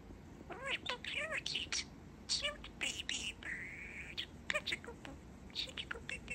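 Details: Pet male budgerigar, a baby bird, chatting indoors about his September, mimicking phrases in high, speech-like chatter with rising harmonic sweeps, quick clicks and one long steady whistled tone near the middle.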